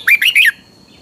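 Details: Caged red-whiskered bulbul from Pa La-u forest, Thailand, singing in the Thai double song style: one short burst of three bright, warbled notes, rising then falling, sounding in quick succession before silence.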